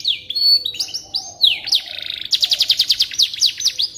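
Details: Canary song played to teach white-rumped shamas: drawn-out clear whistles and slurred notes at first, then a rich buzzy roll and a steady series of crisp repeated chips.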